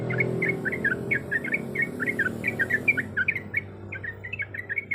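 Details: A female sooty-headed bulbul, said to be in heat, calling the male with rapid bubbly chatter of short down-slurred whistles, heard over a steady low droning hum that drops away partway through.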